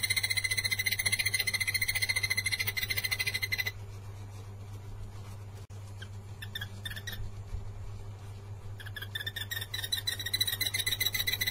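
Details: Blue-eared barbet, natural call: rapid, evenly pulsed mid-pitched notes, pausing midway then resuming, with a steady low hum and high insect-like hiss behind.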